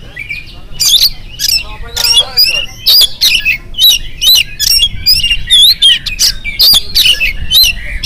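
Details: Oriental magpie-robin in the morning, singing to draw other birds into song: dense, scratchy chatter mixed with whistled slurs and buzzy notes, almost continuous, over a low background hum.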